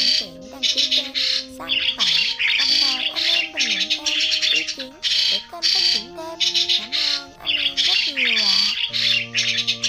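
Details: Migrating starlings used as a trapping lure, with harsh, buzzy squawks in dense bursts every half second to a second, over sliding whistled tones that bend up and down.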